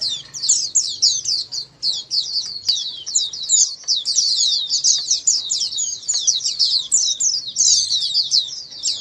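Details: A flock of Oriental white-eyes singing together, used to coax silent white-eyes into answering and singing: a dense, continuous wash of high, thin, rapid twittering notes tumbling over one another, with a faint low hum beneath.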